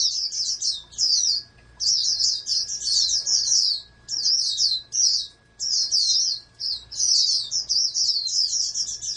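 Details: Oriental white-eye bred in captivity for competition pours out shrill, twittering phrases of a few seconds each, broken by short silent gaps, over a faint mechanical hum.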